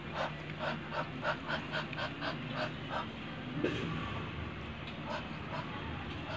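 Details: Big male Muscovy duck (Cairina moschata) hissing, likened to a dragon: rapid breathy, hissing puffs, about three a second, that fade after a few seconds over a steady low hum.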